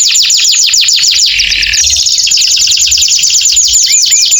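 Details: Long, vigorous canary song meant to coax silent or post-moult canaries back into singing: unbroken rapid trills of sharp falling notes, a brief lower buzzy roll midway, then fast high rattling phrases continuing to the end.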